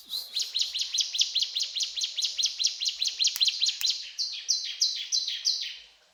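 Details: Ciblek gunung in steady cetrakan song: a long series of paired, bright, high chirps repeated rhythmically, becoming slightly lower and more spaced toward the end.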